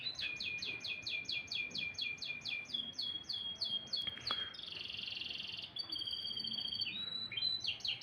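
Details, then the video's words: Morning canary song with fast rolling trills of repeated sweeping notes, a buzzy harsh stretch, then clear sustained whistles and renewed trilling. "kicauan burung kenari"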